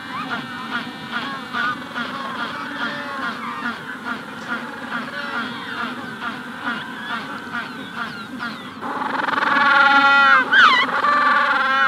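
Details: A Magellanic penguin colony at hatching time: rapid, rhythmic honking pulses from many birds build into a loud, rich braying call near the end. A rufous-collared sparrow is said to sing in the background.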